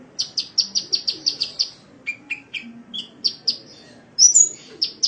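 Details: Sunbird singing on a training recording for caged birds: a rapid run of eight identical high chirps, then lower, slurred whistles, then further high notes and a brief bright flourish.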